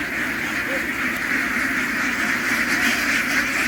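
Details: Farm ducks crowd aboard a ship after running ashore, the whole flock producing a dense, unbroken buzzing chatter likened to swarming bees, steady in loudness throughout.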